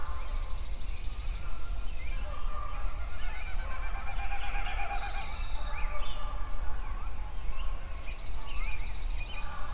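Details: Several songbirds singing at sunrise in Yellowstone: high buzzy trills come in bursts between sharp chirps and short whistled notes, over a constant low rumble.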